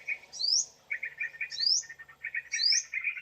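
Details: Sooty-headed bulbul lure sound used to attract birds for trapping: dense bright chattering notes with quick upward-sweeping whistles overlaid about once a second, with brief pauses between bursts.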